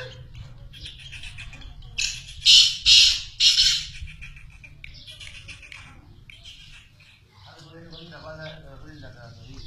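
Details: A captive black francolin gives three loud, harsh, grating squawks in quick succession, then softer chatter. A steady low hum runs throughout, and a voice may be heard near the end.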